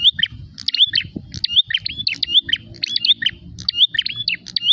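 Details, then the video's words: A prinia in fighting mode, looking for a rival, fires off clusters of shrill, rapidly bent chirps about once a second, with constant low murmuring noise behind. "prenjak gacor narung mencari lawan"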